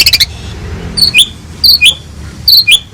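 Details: Asian pied starling in a master recording meant for training other songbirds: sharp high chirps in a quick burst, then three spaced pairs of short squeaky notes about every 0.7 seconds, over faint low hum.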